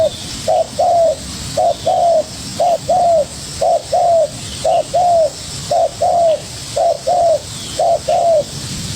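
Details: Spotted dove, a young bird facing off with a decoy: regular, evenly spaced low coos in pairs, a clipped note and then a longer arched note. About fourteen pairs come in nine seconds over soft hiss.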